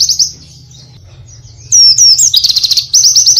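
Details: Oriental white-eye song from a full-variation masteran: a few faint high notes, then loud twisting whistles sliding into a buzzy trill and a fast even series of short chirps.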